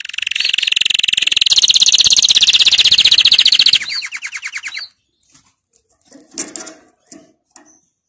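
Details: Song of a canary meant as a model for young birds: a long, loud, even buzzy trill lasting about four seconds, then a softer trill and scattered quiet knocks and rustles.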